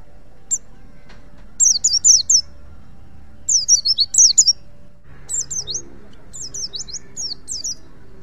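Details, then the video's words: Pacitan white-eye, a wild bird whose song serves as tutoring material for other white-eyes, sings a lone high chirp, then short rapid clusters of thin, slurred twittering notes at intervals, with a soft low hum underneath. "pleci pacitan ngalas untuk masteran pleci apapun.auto nyaut"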